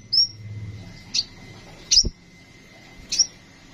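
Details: Kolibri ninja sunbird giving sparse high, sharp chips about once a second, with a faint steady tone and a low knock in the background.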